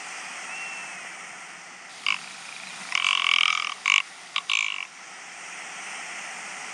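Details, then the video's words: Rock ptarmigan in the fells giving a dry, croaking rattle in a few harsh bursts over about three seconds, over a steady background hiss. "Fjällripa läte. Fjellrype lyd. Alpenschneehuhn Ruf. Kiiruna ääni. Rock Ptarmigan Call"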